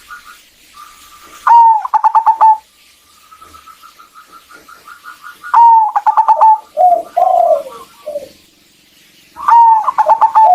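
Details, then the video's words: Local female zebra dove calling to the male to encourage song. Three phrases of a rising note and rapid staccato coos alternate with long runs of faint, regular ku notes and one low rolling coo. "PANCINGAN BURUNG PERKUTUT AMPUH UNTUK PENGGACORAN"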